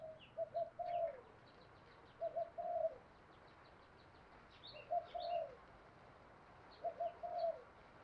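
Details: Distant spotted dove cooing in short phrases of three to four muffled notes, repeated every two seconds or so, under steady background hiss, with small birds chirping and twittering higher up.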